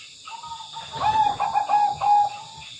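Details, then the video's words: Tame zebra dove singing energetically: a rolling phrase of soft, rapid cooing notes, steady in pitch and pulsing for about a second and a half, over faint background hiss. "burung perkutut gacor dan jinak"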